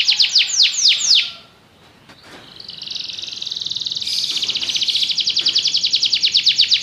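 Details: Belgian canary singing: a few fast downward-sweeping whistled notes, a short pause, then a long rapid trill of high, evenly repeated notes that grows slightly louder toward the end.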